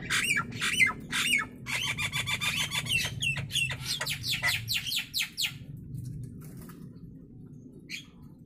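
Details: Natural voice of the Nias hill myna, recorded for training birds: a fast, chattering run of sharp clicks and squeaky notes, about two per second, fading into near silence, with a low hum underneath.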